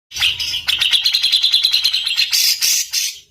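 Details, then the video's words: Bird song used as a training recording for competition fighter birds, with dense rough rolling trills; rapid buzzy notes repeated about three times a second, high-pitched and harsh, ending in a brighter hissing burst. "ROLL RAPAT KASARAN || TEMBAKAN Kasar Untuk BURUNG FIGHTER"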